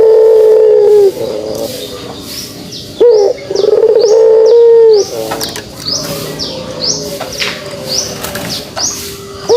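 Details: Pelung dove giving its kugeruk call: long, low, steady coos drawn out for about two seconds each, with a short rising note between them. Thin, high chirping from other small birds sounds above and fills the later part.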